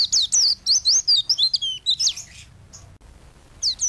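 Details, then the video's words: Kept white-eye singing for songbird training: a rapid tumbling string of high twittering notes that rise and fall, then a pause, one brief note and a fresh phrase at the end. "Burung pleci gacor untuk masteran burung"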